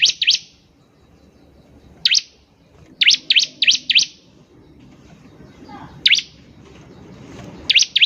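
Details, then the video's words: Energetic bar-winged prinia song meant to prompt other birds to sing: loud, sharp, high chips given singly, in pairs or in runs of four, with uneven pauses, over faint low background noise. "PANCINGAN CIBLEK GACOR || CIBLEK BAHAN PASTI CEPAT BUNYI"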